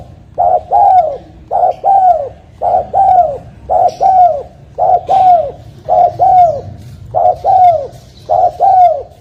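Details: Spotted dove used as a trapping lure, cooing rhythmically: eight paired phrases of a brief hollow note and a longer downward-curving coo, evenly repeated about once a second over faint background hum.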